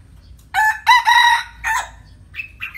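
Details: Red junglefowl, kept by its owner, giving loud harsh crowing notes, two strong bursts followed by a shorter one, then softer high squawks at the end.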